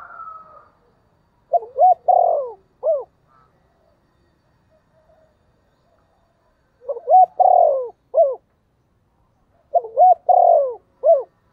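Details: Caged spotted dove used as a decoy, cooing in the 'thổ' voice style to lure wild doves: three phrases of mellow, mid-pitched rolling coos, each a quick stuttered run ending in a separate final note, spaced by silent gaps, background quiet.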